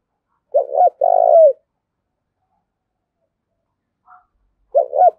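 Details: Spotted dove used as a decoy, calling to spur another dove to fight: one loud phrase of a quick stuttered note and a long, rich, gently falling coo, a faint short note, then the next phrase beginning.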